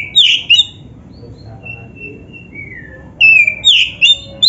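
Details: Black-breasted Oriental magpie-robin song, used as practice and a lure for kept birds: bright whistled bursts, then a quiet stretch with thin, drawn-out falling whistles, then rapid sharp notes again, over a faint low rumble.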